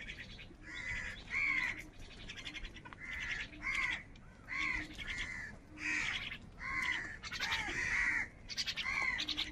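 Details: Wild crows squabbling over food: repeated hoarse, arched caws in about eight bursts over ten seconds, some overlapping, from several birds.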